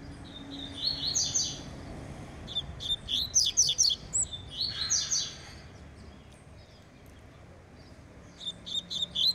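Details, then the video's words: Double-collared seedeater warming up its song: bursts of rapid, high, buzzy trills and sharp chirped notes in clusters, then a quiet pause before another short chirping phrase, over a low steady background hum. "COLEIRO PROMETHEUS TERMINANDO REPASSE E JA ESQUENTANDO"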